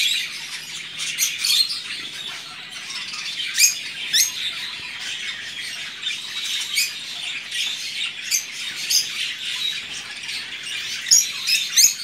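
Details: Rosy-faced lovebirds, new to the home, keep up continuous shrill chatter punctuated by louder piercing squawks every second or so, several birds seemingly calling at once.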